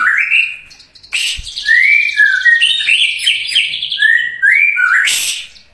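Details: White-rumped shama in vigorous full song, a varied run of loud whistled phrases sliding between low and high notes, with rich buzzy and harsh strokes overhead and brief sharp bursts near the start and end.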